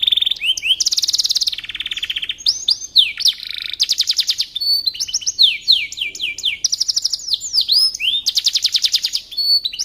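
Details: Long canary song passage used as a training tape for shama thrushes: alternating fast, even trills and swooping whistled notes, with several buzzy rolls and sharp upward flicks, all clean and close.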